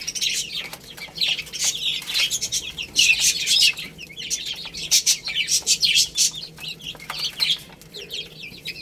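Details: Baby chickens eating rice: dense, high, sweet peeping from several chicks, some notes rising then dropping, over clicking pecks and soft flutters.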